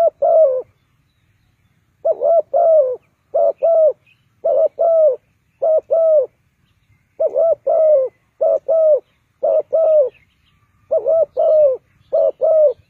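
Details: Spotted dove calling as a lure in a bird trap, Ninh Thuận: long run of paired mellow coos in bursts of two to three phrases, pauses between bursts, rhythmic and repetitive, outdoors with a faint low hum.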